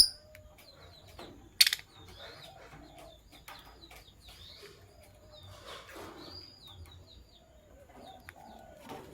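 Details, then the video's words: Sky blue opaline and green opaline lovebirds chirping in the morning, with scattered high, thin tweets in short runs, some lower rough calls, and a loud sharp knock near the start against a quiet background. "Lovebirds Chirping Sounds - Sky Blue Opaline and Green Opaline"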